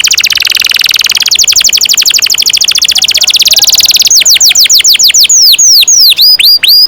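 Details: A 'ngerol panjang' long roll from a canary, played to teach young birds: a sustained rattling trill of high notes for about four seconds, then spaced-out falling whistles that slow toward the end.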